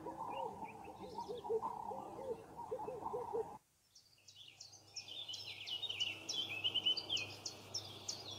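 Bright, scratchy chirps and twitters in quick, uneven bursts from a broad-tailed paradise whydah, after an opening stretch of lower, mellow cooing and over a faint steady hum.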